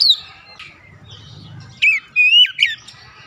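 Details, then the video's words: Oriental magpie-robin, a home cage bird, sound used to prompt singing: a brief sharp whistle, a pause with low background murmur, then a short run of bright slurred whistled notes near the end. "terapi cepat mengatasi Kacer rumahan susah bunyi lekas gacor"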